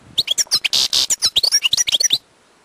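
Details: Wild European goldfinch in song: quick chattering twitters and bright slurred whistles, broken by two harsh buzzy notes near the middle, lasting about two seconds.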